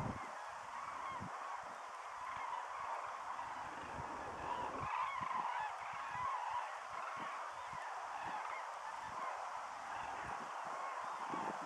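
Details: Common cranes calling as a flock migrates over Lattomeri near Pori, Finland, 9 September 2012; many overlapping rolling, trumpeting calls build in the middle and drift on, set against constant hiss and low rumbles.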